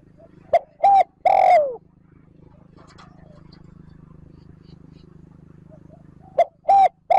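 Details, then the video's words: Spotted dove calling to stimulate decoy birds: short low coos and a longer falling coo, a quiet stretch of low hum, then two more short coos. "Tiếng cu gáy trơn ròng thúc gù gáy kích bổi nhanh nổi / Cu gáy gọi trơn ròng"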